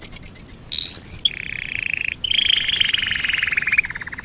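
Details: Domestic canary singing as a lure to make other canaries sing: a few short high pips, then long rapid trills and rolls between two and six kilohertz-like pitch bands, sweeping upward and ending in fast pulsed notes.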